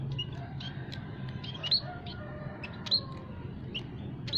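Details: Munias in an aviary, a mix of several munia kinds, recorded as a lure sound for trapping wild birds; short high chirps and thin tweets scattered irregularly over a steady low hum.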